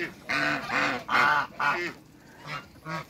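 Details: A giant pair of African geese in a backyard, giving four loud, nasal, harmonic honks in quick succession, then two quieter, shorter honks trailing off at the end.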